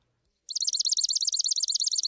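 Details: Swamp Sparrow giving the rapid-chip variant of its song: a fast, even, reedy trill of doubled chip notes, about twelve per second, starting abruptly after a brief silence and running steadily to the end, with a clean, quiet background.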